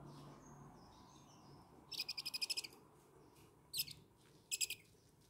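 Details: Two owlets on their sixth day of hand-feeding with fresh chicken meat, 18 August 2020, begging: a fast run of about eight harsh, hissing rasps, then two more short hoarse bursts after brief pauses, over a quiet background.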